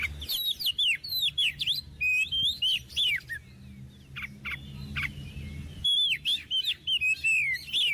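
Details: Oriental magpie-robin, a kept bird used as a tutor song for young birds, pouring out varied whistled phrases of rising and falling slurred notes with sharp high clicks, pausing briefly before resuming, over low rumble.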